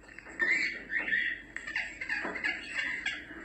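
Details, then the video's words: African grey parrot (yaco) calls, offered as sounds to attract an escaped parrot's attention, imitate or relax it: a quick run of harsh, rasping squawks with whistled overtones, about five bursts in three seconds, with faint clicks between. "LORO GRIS , YACO. SONIDOS PARA LLAMAR"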